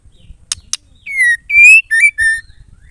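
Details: Female white-rumped shama singing, a sound used to set male shamas singing: two sharp clicks, then four loud whistled notes, the first slurring downward, the next rising, followed by two shorter whistles.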